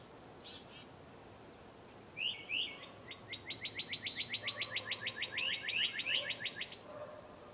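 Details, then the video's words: Birds outdoors at about 8 in the morning: a fast, even trill of upward-sweeping notes, roughly three per second for four seconds, preceded by a few higher chirps, over steady background hiss. "Bird Sounds"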